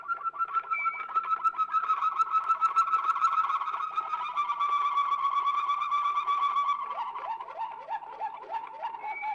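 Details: Old Belgian recording of a Waterslager canary: a long, even rolling trill that slowly lowers in pitch, shifting into downward-sweeping gurgling notes repeated rapidly like bubbling water.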